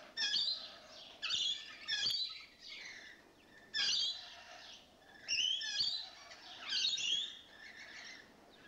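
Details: Rainbow lorikeets, several birds newly moved in and behaving boisterously, utter loud grating screeches in separate bursts roughly every one to one and a half seconds, each harsh and buzzy, with softer notes in the gaps.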